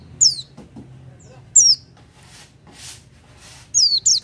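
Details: Oriental white-eye in full, energetic voice: short, high, down-slurred chirps in small bursts, a double note near the end, with soft rustling noise between them.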